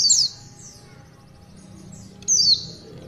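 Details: Oriental white-eye, tulitwitwit song style. Two brief, high, sharply downslurred whistled phrases are separated by a quiet gap of about two seconds.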